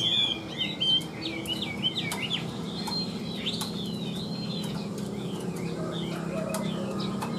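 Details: Caged tame Chinese hwamei giving a fast tumble of twisting whistled notes for the first few seconds, then quieter scattered whistles over a persistent low hum and faint clicking.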